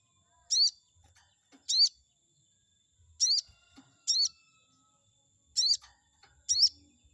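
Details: Lure recording of a chestnut-backed scimitar babbler meant to provoke a rival: six high, squeaky, rising notes in loose pairs over about seven seconds, background otherwise quiet.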